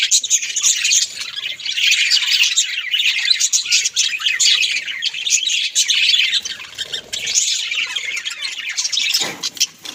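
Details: A group of household budgies keeps up steady chattering: rapid, raspy warbles and tweets run together in one unbroken babble, dipping briefly near the end before resuming.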